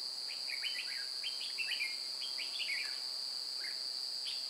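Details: At Chùa Hương in Vietnam during trapping on 9 May 2018, a red-whiskered bulbul gives rapid chirpy whistled phrases that rise and fall, several in a row, beneath a continuous piercing insect hum.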